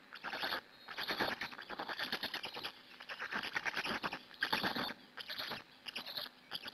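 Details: Feeding time at a black stork nest in Hungary, 2 May 2017, 14:56, live stream camera; loud raspy pulsed chattering in uneven bursts, with a few brief pauses between louder outbursts.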